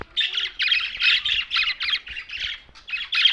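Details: Budgerigar chirping in quick, evenly spaced bursts of buzzy warbled chatter, roughly three per second, loud and close.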